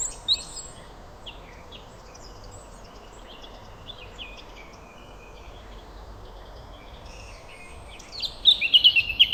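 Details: Birds chirping at sunrise in a calm forest or garden setting: faint scattered high chirps over a soft steady hiss, then a louder burst of rapid, twittering notes near the end.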